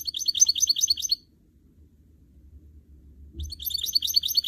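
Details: Canary x goldfinch hybrid, or goldfinch mule, trained for singing, gives two bursts of quick high twittering trills separated by a two-second silence, each burst a dense warbling chatter.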